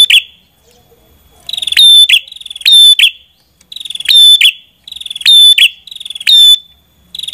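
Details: Red-headed prinia (prenjak kepala merah) singing buzzy, ringing phrases laced with very high, thin whistled notes, repeated roughly every second.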